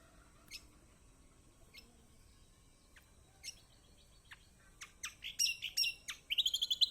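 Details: Master song of a kecial kombok, played to draw out singing in a quiet bird: scattered high chips that quicken into a burst of clustered notes, ending in a fast trill.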